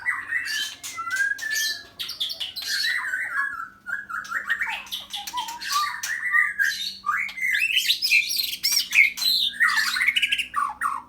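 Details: White-rumped shama of the Medan type, kept at a bird farm, singing a rich, varied run of loud whistles, slurred phrases and quick chattering notes with few pauses, under a faint low hum.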